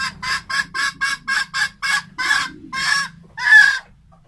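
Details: Red junglefowl hen cackling: a rapid run of about seven short clucks, then three longer, louder, drawn-out nasal calls.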